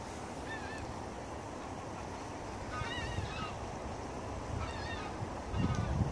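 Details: Geese flying overhead in V formation, giving faint, distant honking calls in short clustered bursts of two or three notes, repeated a few times over steady low wind and background rumble.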